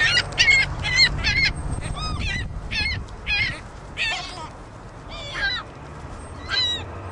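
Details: Endlessly squawking juvenile ring-billed gull: harsh, nasal calls in rapid clusters early on, then more spaced, some with wavering or downward-curving tones, steady low rumble in the background.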